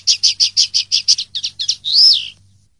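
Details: Linnet singing 'pardillo limpio' clean song, 2023/2024: about ten quick, high chirped notes, slightly uneven toward the end, then a single drawn-out note that rises and falls in an arch before stopping. A faint steady hum sits underneath.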